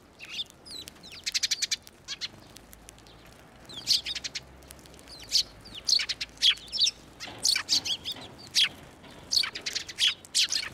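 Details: Several sparrows coming onto a hand for food at a Tenmangu shrine on 11 March 2024, giving scattered sharp chirps and short rattling tweet series throughout, some overlapping.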